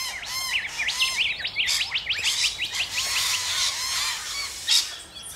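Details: Rainbow lorikeets in Australia in a noisy chorus of fast, high, warbling twitters and sharp chirps, with a single loud squawk near the end.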